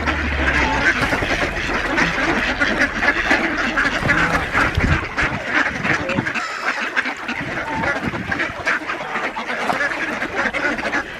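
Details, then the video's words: A flock of ducks at feeding time on Diss Mere, 17 December 2022, outnumbering two geese; a long, dense run of nasal quacking from many birds at once, steady and restless throughout. "DUCKS OUTNUMBER 2 GEESE AT FEEDING TIME ON DISS MERE"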